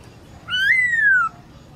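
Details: Midday song of a caged black-throated laughingthrush being trained to sing: a single sustained whistle, swept up sharply and then drawn smoothly downward for nearly a second, in the forest-voice style.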